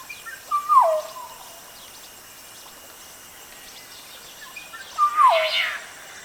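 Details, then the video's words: Western Black-headed Oriole (Oriolus brachyrynchus) giving two liquid whistled phrases several seconds apart, each a brief high note followed by a falling, slurred whistle, over faint background bird chatter and light rustling. "Western Black-headed Oriole (Oriolus brachyrynchus)"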